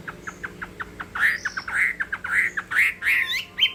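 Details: Chinese hwamei in a singing contest: a rapid series of short, sharp repeated notes, about two per second, that builds into louder slurred whistled phrases with rising and falling inflections.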